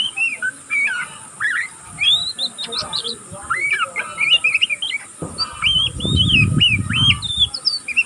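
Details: Juvenile oriental magpie-robin practising its song in the unbroken twittering style called ngeriwik: a dense run of quick, looping, rising and falling chirps. A low rumble sounds near the end.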